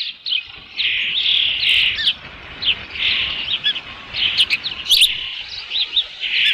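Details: Osprey on its nest with a fish, nest camera on a ranch, 3 June 2018, late afternoon; continuous high, slurred whistled calls running into rapid chirping notes.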